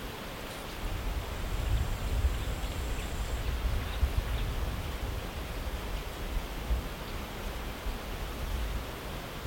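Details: Steady low rumble with broadband rustling noise throughout, like wind or rain outdoors, and no clear animal calls.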